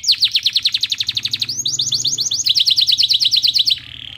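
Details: Canary in full song using white-eye (pleci) phrases, delivering fast trains of sharp downslurred chips about three per second within each burst, switching pitch between segments, and closing on a soft steady high note.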